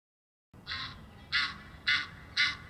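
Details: Egyptian geese exchanging honk calls at Muizenberg, South Africa, on 16 May: four harsh, hoarse honks about half a second apart, loud and raspy over quiet background hiss.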